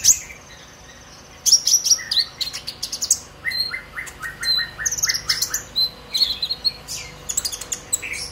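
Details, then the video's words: Excited song of a captive young purple-throated sunbird, brown-breasted and past its spotted stage, used to set other birds singing: after a quiet start, rapid high chips and whistles over a run of lower repeated notes. "Pancingan KONIN Bahan agar GACOR NGOBRA EMOSI - Purple Throated Sunbird"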